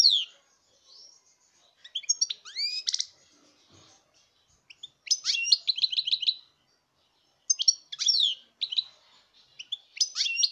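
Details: European goldfinch song recorded in 2019: several bursts of sharp, sweeping high notes and fast tinkling trills separated by short pauses, with one faint low knock.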